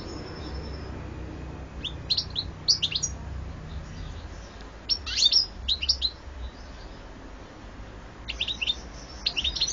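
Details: Recorded in 2014, a European goldfinch gives scattered clusters of sharp, sweet chirps and slurred twitters, spaced with short gaps, the phrases growing busier toward the end over light background noise.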